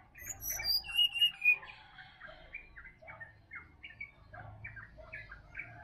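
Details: A sirdadu in wild Bali forest at morning opens with high, clear whistles falling in pitch, notes repeated two or three times. Busy mid-pitched chirping and twittering from other forest birds continues afterward.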